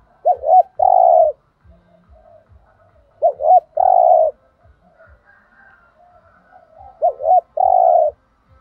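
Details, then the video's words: Spotted dove 'thúc gù' song, 'thổ đồng' voice: three evenly spaced phrases roughly three seconds apart, each two short hooked notes then a long low humming coo, with quiet murmurs and steady faint ticking between. "cu gay tho đồng thúc gù/ chim cu gáy giọng thổ đồng chuẩn nhất"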